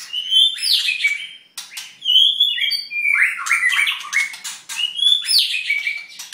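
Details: Halfway through its molt, a white-rumped shama pours out a rich varied song of loud fluting whistles, sliding and falling notes, and dense scratchy chatter, almost without pause.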